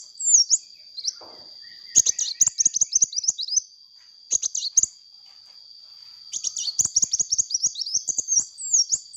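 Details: Lively hummingbird chatter meant as a lure: fast, very high, squeaky chirps in dense bursts near two, four and six to nine seconds, separated by short pauses, with a constant high-pitched whine and scattered clicks behind.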